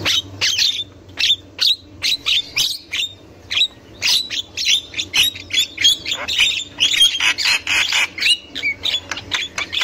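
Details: Javan myna chattering in the wild, used as a lure for young birds. Rapid series of harsh, clipped squawks, growing denser and more continuous in the latter half.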